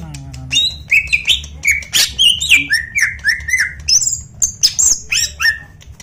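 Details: Greater green leafbird, a national champion, delivers a long run of strident notes: rough chirps, fluty whistles and squeaky high slides in quick succession, loud and unrelenting, with a low mechanical hum in the background.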